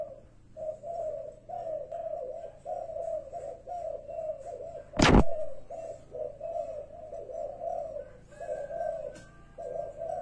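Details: A spotted dove perched on a rubber tyre gives soft, low, hooting coos in a steady repeated rhythm, with a single sharp knock midway and faint background noise.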